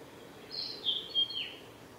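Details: Male Japanese thrush at Kawaguchiko Field Center, Japan, on 8 July 2017, gives one short, clear phrase of bright, slurred whistles rising and falling in high pitch, over a soft steady background hiss.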